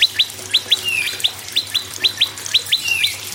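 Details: Lively prinia song meant to prompt silent birds into singing, a steady run of paired, downward-sliding high chirps about twice a second, with a few longer slurred notes mixed in over a faint low hum.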